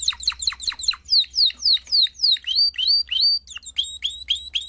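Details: Singing canary delivering clear whistled notes that sweep down, repeated roughly four times a second, shifting into slower drawn-out slurs and then upswept notes.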